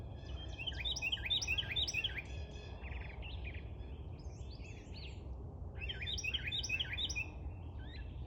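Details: A tiny bird pours out bursts of rapid, high chirping notes, pausing briefly between phrases, over steady low-pitched background rumble.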